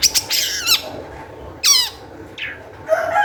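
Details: Long-tailed shrike, excited, as a lure to get other shrikes calling: harsh, scratchy descending squawks and a couple of sharp clicks, with pauses between, over a low background hiss.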